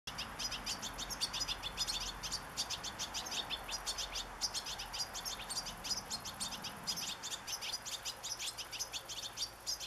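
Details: Young European goldfinch begging while being fed sunflower seeds, recorded 27 August 2014: a continuous stream of thin, high, rapid chirps repeated several times per second over steady background hiss.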